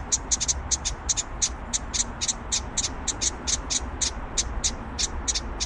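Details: House wren chicks on fledging day give short, high, raspy begging notes in a rapid, steady string, about four a second, over a low background rumble.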